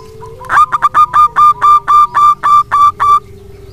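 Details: A long, lively phrase from a local wild-type zebra dove, played as a lure to get lazy doves singing. Roughly thirteen sharp, ringing coos follow one another fast and steadily, with a faint low tone running behind them.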